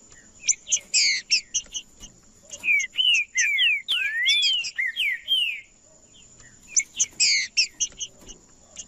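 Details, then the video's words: Green-winged saltator macheando song meant to stir other birds into singing: dry rattling chatter bursts open and close it, framing a dense run of rich whistled slurs that rise and fall, all over a faint constant high whine. "Trinca-ferro Macheando com Trinca ferro cantando Para Esquentar Trinca ferro"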